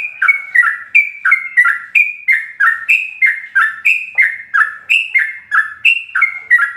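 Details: Long run of yellow-vented bulbul ropelan song, full of varied notes, used as a master recording for caged birds: rhythmic bubbly notes stepping downward, about three each second, steady throughout.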